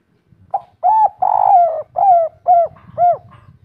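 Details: Local spotted dove giving the 'kuk 3' type of coo, praised as loud and soft-toned. Six mellow, low hoots in a row: one brief note, two long sustained ones, then three clipped downward-bending coos at a steady pace.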